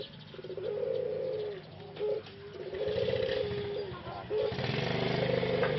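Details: Caged male Pelung dove in Indonesia, isolated for rehabilitation after its voice was lost following six months of breeding; repeated low, hollow coos with short breaks, over a loud rushing background noise.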